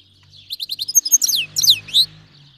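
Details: Goldfinch of Iranian stock, a Himalayan and black-headed cross from Fars, Iran, sings a tutoring song for fledglings: a row of short high chips, then twisting slurred whistles, with a steady low hum underneath.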